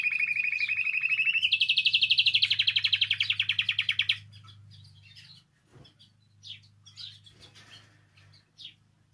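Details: Canary song for prompting canaries to sing: a loud buzzy trill that steps up in pitch and pulses rapidly for about four seconds, then quieter scattered chirps; low hum throughout.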